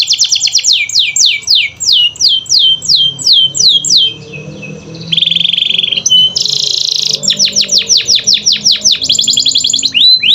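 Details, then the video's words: Canary singing to coax silent caged canaries into song; rapid runs of high falling sweeps, a flat buzzy trill, a brief dense burst, then further quick repeated descending notes ending with a rising whistle. "Pancingan Kenari Malas Bunyi"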